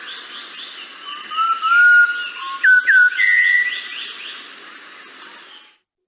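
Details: A Malabar whistling thrush (Myophonus horsfieldii) sings a long, continuous, rambling song of clear, human-like whistles that slide and rise without repeating, over a steady insect drone.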